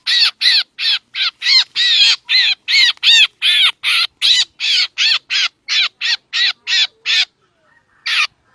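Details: Black drongo lure call: a fast train of about twenty rough, scratchy notes with arching tones, ending in silence and a single final squawk after a faint, thin whistle.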